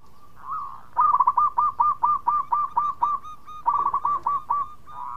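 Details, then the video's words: Local zebra dove (perkutut) in active calling, giving the bekur coo style used to lure others into answering: a brief opening coo, then a rapid, even string of about fifteen short, hollow, pulsing coo notes at steady pitch. "Pancingan Perkutut Lokal Gacor Suara Bekur Cepat Nyaut"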